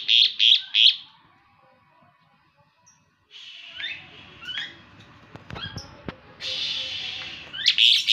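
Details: Morning song of an Asian pied starling, opening with three loud, harsh high-pitched notes, then a quiet gap, followed by scattered rising squeaks, scratchy chatter and a final loud burst.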